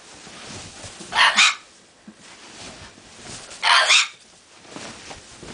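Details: Pet bare-eyed cockatoo playing indoors while a bed is being made: two loud, harsh, raspy screeches about two and a half seconds apart, with people talking quietly around it.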